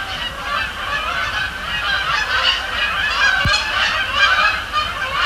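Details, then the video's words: Canada geese calling at night over Sapsucker Woods Pond amid fly-overs and splash-downs; a crowded wall of nasal honks, some louder near birds rising above the din, and a short click late on. "Canada Geese, Thursday night at Sapsucker Woods"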